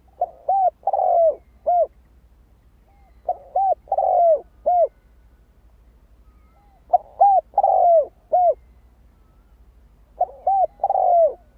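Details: Spotted dove repeating its coo phrase to rouse decoys: three clear phrases spaced about four seconds apart, each two short coos, a long falling hoot and a closing short coo.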